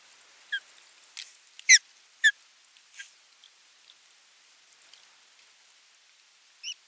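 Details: Osprey at a nest watched by a live nest camera on 27 June 2022, an adult bringing a fish and watching the feeding; short, high, downward-slurred whistled chirps, about six spread irregularly over seven seconds, with quiet background.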